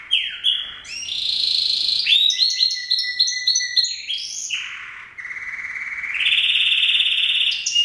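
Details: Male canary singing a long continuous song of rapid trills and rolls, sliding between pitch levels, with a fast buzzy stretch in the middle and a sustained high rolling trill near the end.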